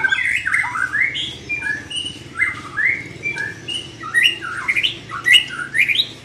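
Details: Young white-rumped shama in training delivers a rich, varied song of rising whistles and slurred phrases, about two notes a second in irregular bursts, with a constant low droning hum underneath.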